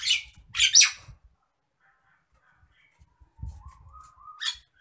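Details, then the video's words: Agitated Nias hill myna: two loud, harsh, noisy squawks open the recording, followed by a soft rising whistle and a final short rasping burst in an otherwise quiet indoor setting. "MASTERAN BURUNG JALAK NIAS NGAMUK"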